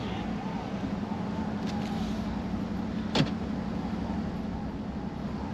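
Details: Idling car hum and road noise with a single sharp click midway, with no animal calls.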